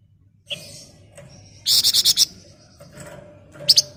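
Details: Flamboyan in nyerecet ngebren rapat song: a tight burst of five rapid, shrill, buzzy notes, followed by a brief high chip, with faint low background hum.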